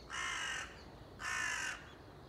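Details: Crow recorded on 30 September 2020: two long, harsh, hoarse caws, each about half a second, separated by a short pause.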